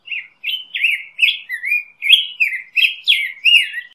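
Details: Black-headed grosbeak in full song, a steady stream of mellow whistled phrases, each note sliding downward, about ten in four seconds, clean and without background sounds.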